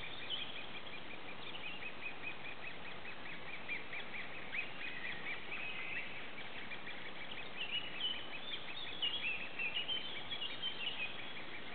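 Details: Great spotted woodpecker nestlings in a tree cavity, being fed, keep up a constant high, buzzy chatter of overlapping begging calls that swells and surges throughout, with no pauses.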